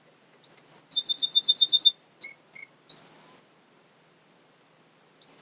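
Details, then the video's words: Russian canary male, from a Florida breeder in Miami, on a training recording: rising whistled slurs, a quick bubbling high roll, two short lower pips, then another long upswept whistle, separated by brief pauses. "Melodies Russian Canary Bird Sounds"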